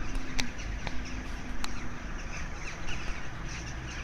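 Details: Crows in a flock of thousands over Maasmechelen, Belgium, 9 March 2015: loud harsh caws and rasping calls overlapping throughout, with a few sharp clicks and low background rumble.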